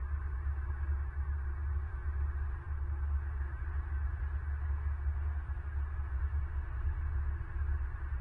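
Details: Only a steady low rumbling hum with constant background noise from a bald eagle nest camera in southwest Florida, recorded on the morning of 26 November 2022.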